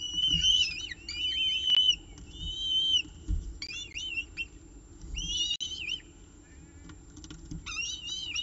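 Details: At a peregrine falcon nest during the evening meal, nestcam, 18 October 2018, 6:51 pm: bursts of high, warbling, wavering screams about once a second, separated by quieter stretches with low background rumble.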